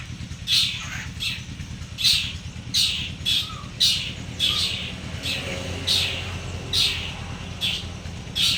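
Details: Two champion long-tailed shrikes, local Madura against local Bojonegoro, set side by side, repeat harsh grating squawks about every 0.6 to 0.8 seconds for over eight seconds, a few soft whistles between, over low hum.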